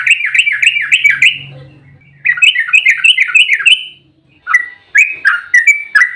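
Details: Agitated fighting song of a yellow-vented bulbul, used to provoke other bulbuls to sing: two fast rattling bursts, the first over a faint low hum, then a few spaced bubbly phrases.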